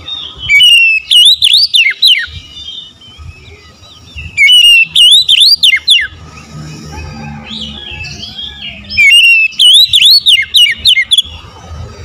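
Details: Oriental magpie-robin singing loud, clear whistled phrases that swoop up and down and end in sharp rising notes, delivered in bursts of about two seconds that recur roughly every four to five seconds, over a faint low hum.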